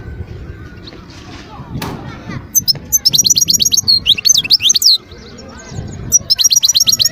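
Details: Algerian wild European goldfinch, Skikda area, 2022, starting after a quiet spell with lively high twitters, wavering whistled notes and rapid chip series, pausing briefly before resuming with a fast trill.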